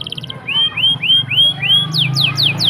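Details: Canary song, loud and close: a series of five rising whistled notes, each about a quarter second apart, then a run of quick, high, falling slurred notes, with a low steady hum beneath.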